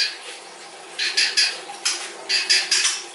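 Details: White-rumped shama (murai batu) singing in a loud style with a long fill. Short, harsh, rasping bursts come in an uneven series, with faint thin whistles between them.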